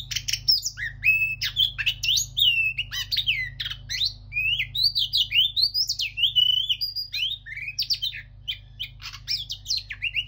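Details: Moulting Oriental magpie-robin singing a rich, fast and varied song of high whistles, chirps and slurred squeaky notes in continuous bursts, over a steady low hum.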